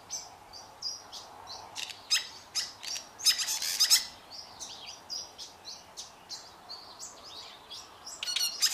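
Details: Fork-tailed Drongos singing together as a pair: rhythmic high chips and twangy notes, a loud grating burst in the middle, and a fast metallic rattle near the end.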